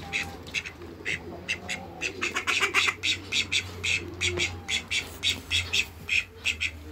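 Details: Farmyard call ducks near a Muscovy duck couple, calling in loud, raspy quacks that come in dense runs, thinner at first and then crowding together, over a constant low hum and faint background noise.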